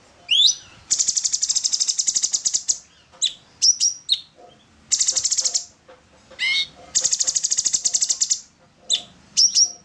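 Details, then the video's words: Orange-bellied leafbird song: quick rising whistles, then a rapid, high, buzzy chattering trill, with the phrase repeated twice in ten seconds. "Pancingan burung Cucak cungkok / orange-bellied leafbird"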